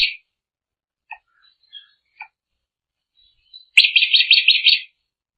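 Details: Drongo singing, with scattered quiet chips and short notes followed by a single brief, fast, buzzy rattle of high repeated notes lasting about a second.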